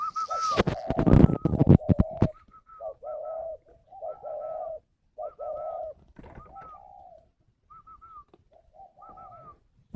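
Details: Spotted dove in an aviary in Ba Vì district, Hanoi, Vietnam, cooing rhythmically after a burst of clattering noise: paired low coos topped by higher notes, repeated about twice a second, with gaps between series.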